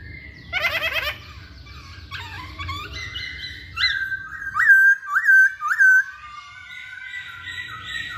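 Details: Lure song of a masked laughingthrush, meant to draw singing from other birds. A rough, rattling burst opens, then fuller whistles and three or four sharp, looping notes, fading into a long, thin, drawn-out whistle. Faint low rumble behind.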